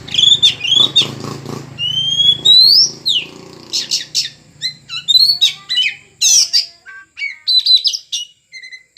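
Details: Loud, vigorous singing from a caged oriental magpie-robin (kacer) under taming: a continuous stream of varied whistles, sweeping upslurs and sharp clipped chirps, phrases following each other with barely a pause.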